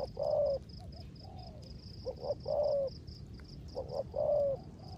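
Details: In the rain, a decoy spotted dove delivers its rước gù coo: a long, low humming note, then quick double notes leading into another sustained hum, over a steady high-pitched ticking chorus.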